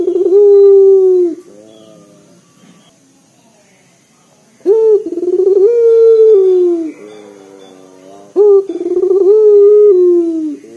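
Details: A loud, bassy local Barbary dove coo, used to get other birds calling. A long low hoot, a silent pause, then two more phrases, each a sharp onset, a trembling run and a steady falling hoot.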